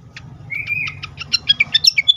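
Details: Fantail, agitated: a short level whistle leads into a fast string of bright, sharp chips that climb and fall, closing with loud clipped notes over a steady low hum.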